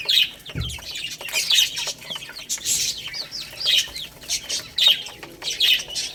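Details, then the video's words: Chicks eating rice keep up shrill, descending peeps in clusters roughly every second. Busy clicking of beaks on grains runs throughout. "Cute Baby Chicks Eating Rice | Beautiful Chicks Chirping Sounds"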